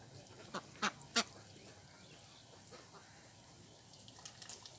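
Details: A duck at a pond gives three short, harsh quacks in quick succession in the first second. Then only soft background hiss and faint ticks follow.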